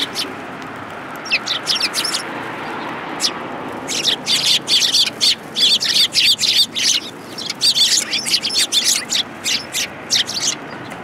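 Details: Eurasian tree sparrows arriving to be fed at a shrine on a January day; a few chirps at first, then a dense, busy stream of overlapping sharp calls from several birds.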